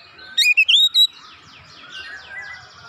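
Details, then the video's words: Oriental magpie-robin answering at once and insistently unloading its learned fill-in phrases: a loud burst of short, slurred whistled notes early on, then softer, faint chattering and warbling phrases trailing off. "Kacer langsung nyaut ngotot bongkar isian"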